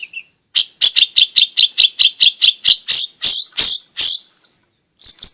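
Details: Long-tailed shrike in lively song, meant to coax silent captive shrikes into singing: a fast, even series of about fifteen piercing high notes, then a few louder, harsher buzzy calls, a pause, and a short whistled burst.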